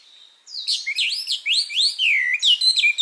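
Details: Japanese white-eye singing a complex summer phrase at close range, recorded in mid-July: a quick tumbling stream of high, sweeping, twittering whistles with no pause.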